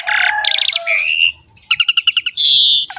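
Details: Asian pied starling lure song for young birds: a buzzy opening, a smooth whistle, then a rapid string of about ten pulsed notes and a long buzzy note.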